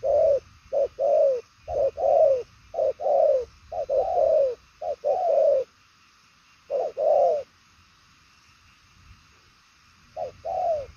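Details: Spotted dove of the 'đồng son chân tím' purple-legged type in 'bài lối' 'gù' style: a rapid series of paired coos, a short note and a longer falling one, then a long pause and two more pairs.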